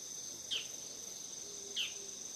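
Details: Autumn-arriving bull-headed shrike beside a home, 17 September 2020; two sharp, piercing downslurred calls over a steady high insect drone.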